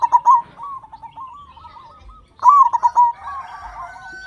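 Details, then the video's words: Loud-voiced local zebra dove cooing to stimulate silent captive doves: two bursts of quick stuttering coos followed by softer wavering trills from other birds. "Perkutut Lokal Gacor Suara Besar Pancingan Burung Perkutut Agar Cepat Bunyi"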